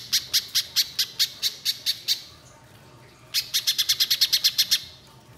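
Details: Energetic spiderhunter song, sound meant to get untrained birds singing quickly: a slowing series of about ten sharp, bright chips, a pause, then a faster burst of a dozen chips.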